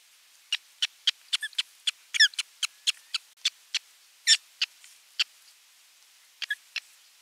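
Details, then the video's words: Osprey at its nest on 27 June 2022, bringing a fish and watching the feeding; a series of short, sharp, high chirped calls repeated at irregular intervals, with a few louder squealing notes. "Tuulos tuo kalan ja seurailee syöttöä"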